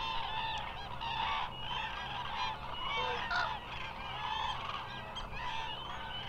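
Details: A large flock of common cranes at the Hula Nature Reserve wetland in Israel gives a dense overlapping chorus of loud, rolling trumpeted bugles with no pause, over a low steady background hum.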